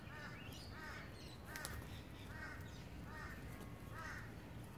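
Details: A rainbow lorikeet in south east Queensland, Australia, uttering a series of grating, arched screeches roughly every three quarters of a second, steady and evenly spaced, over low background rumble.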